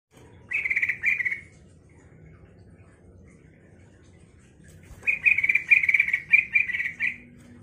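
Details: Yellow-vented bulbul song meant to provoke other bulbuls into replying and singing: a short bubbly warbled phrase, a pause of several seconds, then a longer run of rapid liquid notes, with faint low background rumble.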